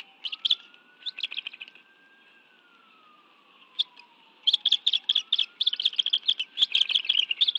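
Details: Bald eagle nest in Washington, D.C., 11 June 2017, 2:23 PM, family meal of fish: a few short clusters of high chirps, a quiet gap with one lone chirp, then a long fast chattering run; a distant siren wavers throughout.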